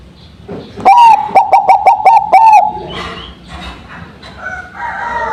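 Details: Zebra dove of the Bangkok type, a song suited as a lure after the bird is set out in the dew: a rapid run of clear, hooting cooing notes, about six pulsed coos with a rolling ending, followed by fainter mixed background noises.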